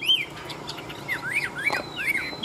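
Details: {'caption': 'Wild-caught mature Chinese hwamei, a large fighting bird that spreads its wings: a few short slurred whistles, some rising and some falling, spaced apart over a quiet background.'}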